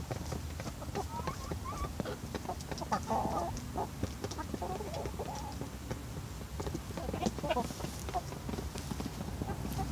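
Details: Australorp and Barred Rock hens at evening feeding, pleased with moistened feed: scattered soft clucks and short murmuring notes from several birds over a steady low rumble, with faint pecking clicks throughout.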